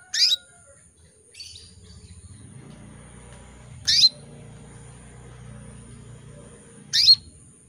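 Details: Breeding-condition female canary calling for males: three sharp high chirps spaced about three seconds apart, each a quick falling sweep, over low rumbling background noise and a continuous thin high tone.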